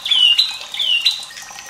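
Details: White-rumped shama, recorded as a tutor for young birds: two high whistled phrases, each a long downward slur ending in a short upward flick, with faint water behind.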